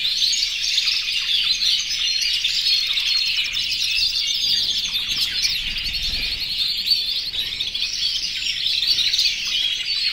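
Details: Yellow, red and white canaries, more than a hundred in one aviary, singing in breeding condition toward the females; steady high-pitched trilling and buzzy rattles blend into a constant chorus.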